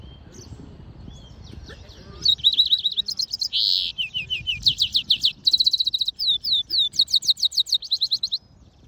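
A goldfinch mule sings a fast, varied twittering song of bright, high chirps and trills, broken by one harsh buzzy note, after a few quiet seconds.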